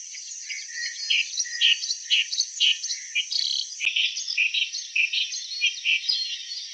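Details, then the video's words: Song of a clamorous reed warbler: loud, grating notes repeated roughly twice a second in a steady, slightly irregular chattering sequence over almost seven seconds, with a faint high hiss behind. "Sound of Clamorous Reed Warbler"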